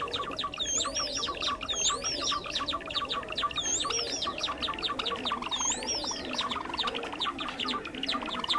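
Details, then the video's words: Java sparrow lure calls used for bird trapping: a dense, steady chatter of many short chipping notes, broken roughly every two seconds by loud, arched, whistled notes that rise and fall. "SUARA PIKAT BURUNG GELATIK JAWA"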